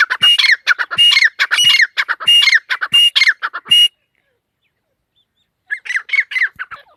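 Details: Female partridge (teetar) repeating harsh, squawky korak notes in a rapid rhythmic run that stops dead, then resumes more softly after a silent gap of nearly two seconds.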